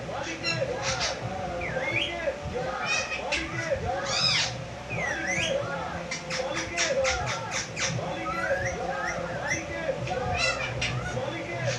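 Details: Talking parrot from Bangladesh giving a busy run of arched, voice-like syllables mixed with sharp rising squawks and whistles, dense and continuous throughout, with faint household noise behind.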